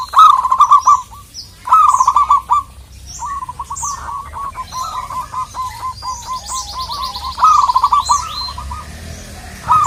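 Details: Zebra dove of local Indonesian stock, used to call rivals: loud clustered bursts of quick rolling coos alternating with longer even strings of softer hooked notes, with sparse high chirps in a quiet background.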